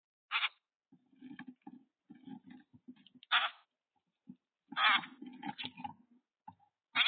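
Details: Boat-tailed grackle at a bird cam: loud harsh, scratchy broadband calls at irregular intervals, mixed with softer low rustling and tapping sounds between them.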